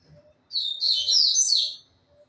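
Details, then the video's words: Captive-bred rusty-collared seedeater singing a short burst of bright, rapid, slurred whistled notes lasting about a second, with faint low background hum. "coleiro cantador"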